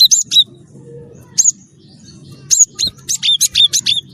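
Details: Cinereous tit of the wingko type (gelatik batu wingko) singing actively, kept as a lure to prompt other birds to sing; sharp high chirps and short bent whistles in quick bursts, a pause mid-way, over a low steady hum.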